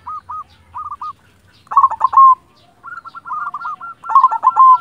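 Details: Zebra dove of a local silver type, a strong singer kept to prompt quiet doves: short soft rolled coos, then loud stuttering bursts of fast coos alternating with quicker chains of rippling notes.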